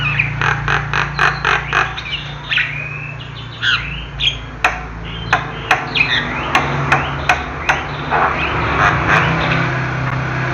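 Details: Javan myna singing its native song: a busy run of harsh squawks and sharp clicks, about three to four per second, mixed with short whistled and warbled notes, over a steady low hum.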